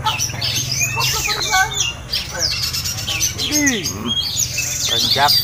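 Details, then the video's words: Oriental magpie-robin during a simulated singing contest meant to steady its nerve; rich rambling song of rising and falling whistles, clipped rattles and arched downward notes, mixed with other birds and a steady low hum. "SIMULASI GANTANGAN KACER TEMBAKAN DAHSYAT|| TES MENTAL"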